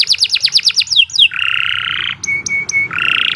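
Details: Canary in long, steady song, recorded as a tutor for other songbirds: quick falling whistled notes that run into a long buzzy roll, then three short flat piping notes and another rising rolled phrase.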